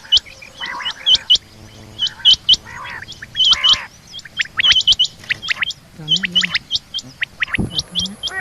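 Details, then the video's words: Female rain quail calling in the morning: sharp, high chirps in quick irregular bursts, about one a second, over lower fluttering notes and other bird chatter. "batair rain quail sound female rain quail new subah ki awaaz"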